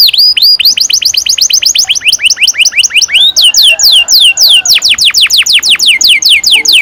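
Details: Long-rolling canary song meant to coax young birds into singing: a chain of crisp downward-slurred whistles, repeated several times a second, that shifts between quicker and slower sweeping phrases with no pause.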